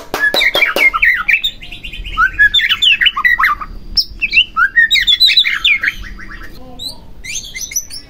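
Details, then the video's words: Song of a white-rumped shama meant to stir another shama into singing; loud bursts of rapid, rattling, twittering notes in several phrases separated by brief pauses. "Pancingan Murai Batu Agar Bunyi Langsung Emosi Bongkar Isian"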